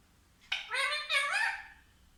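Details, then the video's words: Talking parrot, called mitthu, uttering two loud harmonic syllables, the second rising in pitch, then quiet. "कितना प्यारा बोलता है मिट्ठू ll Parrot Talking"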